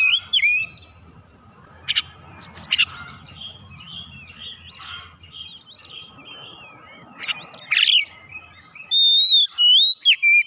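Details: White-rumped shama song in a training recording for caged birds. Loud whistled phrases and sharp chips arrive in scattered bursts over a busy background of softer chirps, ending in clear high repeated whistles.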